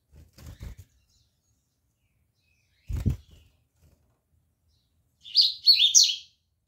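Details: Rusty-collared seedeater giving a brief burst of high, slurred whistled notes near the end, after two low thumping knocks.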